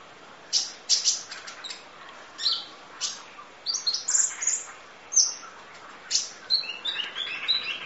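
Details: Sunbird known locally as kolibri ninja, in a long training recording of its full song for teaching other birds: sharp, high, clipped chirps and short bright notes in irregular bursts, with brief pauses between clusters.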